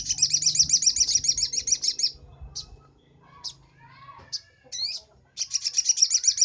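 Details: Sunbird song used as a master recording for training cage birds, from Indonesia: rapid high buzzy trills of evenly repeated notes open and close the passage, with scattered sharp chirps and faint low rumble between.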